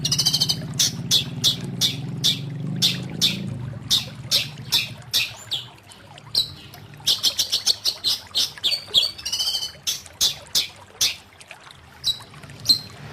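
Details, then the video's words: Long-tailed shrike singing: a busy series of sharp, high chirps and short whistled notes, some falling slides, delivered in uneven bursts over low background rumble that fades after four seconds. "Burung Cendet Ini Punya Suara yang Luar Biasa"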